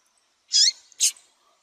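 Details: Female yellow-bellied seedeater calling, a call used to stimulate and excite males into singing; two short, high, bright chip notes about half a second apart, the first slightly longer, with a quiet background.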